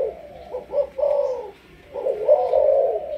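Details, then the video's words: A Malaysian spotted dove, kept as a caged bird for breeding and used as a decoy for trapping, gives low, soft cooing phrases in two bursts about a second apart, each a throaty rolling coo with a slight rise. "Cu gáy Malaysia"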